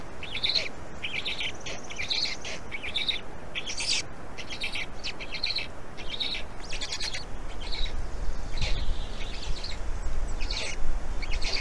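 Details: Estonian black stork nest, afternoon of 16 May 2019, second chick emerging; a long series of breathy, hissing high calls repeats rhythmically, then thins out while low rumble grows louder toward the end.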